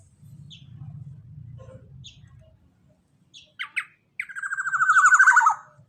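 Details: Black-naped oriole in active, vigorous voice. A low hum opens, then a few short, scattered notes, then a loud, harsh, nasal call that slides downward and swells for about one and a half seconds before fading.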